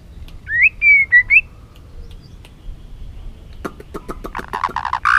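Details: White-rumped shama urged to sing in many voices: a short burst of looping, rising whistled notes, then a series of sharp clicks and rough buzzy sounds close by.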